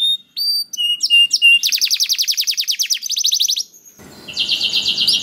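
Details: Canary song used to coax other canaries into singing: clear separated whistles, then a long rapid trill of even pulses, a pause, and a second fast trill over a hiss of background noise.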